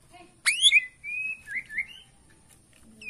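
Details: Bornean white-rumped shama singing in its bowing style to provoke rivals: a sharp downward-slurred burst, then a level whistle and a few rising, wavering whistled notes, with a quiet pause after.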